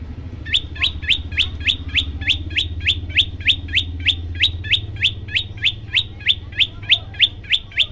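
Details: Yellow-bellied prinia recording used to provoke birds that hear it: a steady, fast run of about twenty-two clipped high chirps, roughly three each second, over a low continuous background hum.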